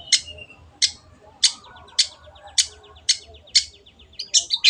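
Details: Long-tailed shrike (cendet) calling as masteran training audio: sharp harsh chack notes repeated roughly every half second, with a faint rapid ticking series between them and louder mixed notes at the end.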